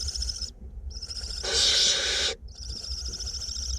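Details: Barn owlets being fed in a nest box in north Glasgow, two young present; long harsh hissing screeches, one swelling louder in the middle, with brief gaps between them and a low hum underneath.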